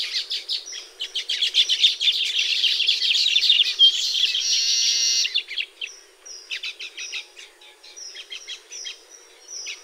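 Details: Baya weaver busy at its nests in the tropics: a loud buzzy chatter and drawn-out sizzle, then sparser clipped chirps and thin high notes repeated at intervals.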